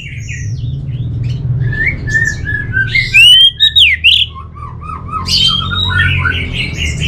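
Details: Orange-headed thrush, kept as a songbird, pouring out varied whistles, slurred notes and a few harsh squeaky bursts, with quieter phrases in between and a constant low background hum.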